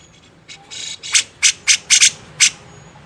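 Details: Grey-cheeked bulbul on a master recording for training songbirds, tagged with the style beset ngepik: after soft scratchy notes, about six loud, harsh, broadband squawking bursts come in quick, uneven succession.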